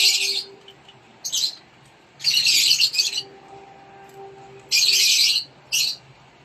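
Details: Rosy-faced lovebird chicks, known locally as Lovebird Non Klep, being fed by a parent in a nest box in Indonesia; hoarse, buzzy rasping bursts recur roughly every second or two, with short gaps between.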